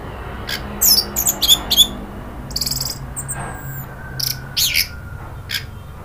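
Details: Anis merah, the orange-headed thrush, in an Indonesian lure recording that provokes agitated chattering followed by open singing: scattered high, quick squeaky notes and short clusters, uneven in rhythm, over a low steady hum.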